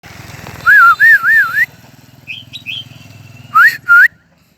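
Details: Crested bird singing in a H'Mong highland village: a run of three loud wavering whistled loops, then a pause with a few soft high notes and a low background hum, then two short rising whistles.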